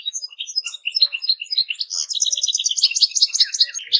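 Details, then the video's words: Goldfinches in song: scattered bright chirps give way to a long, fast, rattling trill of high notes that keeps going to the end. "Goldfinches - amazing song"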